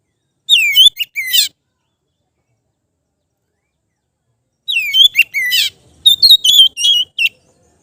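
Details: Oriental magpie-robin in relaxed ngeplong song, for training untrained kept birds. A short phrase of slurred whistles and buzz, a long silence, then a longer phrase of sweeping whistles, harsh buzzes and a rapid series of bright chips.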